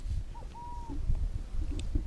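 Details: Burrowing Owl, a ground-nesting owl at the former Umatilla chemical weapons depot near Hermiston, Oregon, comes out responding to a speaker playing an intruder. It gives a soft two-part coo, a short hoot then a longer level note, over heavy low rumble and wind.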